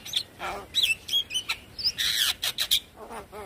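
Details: Javan myna singing as a lure for other birds: a dense jumble of whistled slurs, scratchy squawks and rapid harsh chatter, ending with two short nasal rasping phrases.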